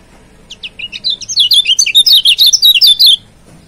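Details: Lombok yellow white-eye song used as a master to provoke a rival: a few separate high chips then a rapid, loud run of bright twittering slurred whistles, dense and continuous for nearly two seconds.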